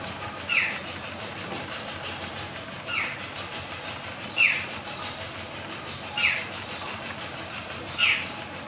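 Jungle babbler giving short, harsh squeaky notes about every two seconds, five in all, over a steady rushing background noise.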